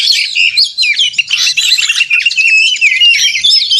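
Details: Oriental magpie-robin pouring out 'narung' combative song to provoke rivals; a crowded jumble of high slurred whistles, harsh buzzy notes and fast chirps, loud throughout.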